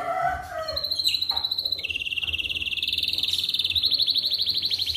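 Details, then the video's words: Atlantic canary singing in the morning to prompt other canaries to sing: a few lower whistled notes, then a high steady tone sliding into a long, fast, even rolling trill. "Pancingan Kenari di Pagi Hari"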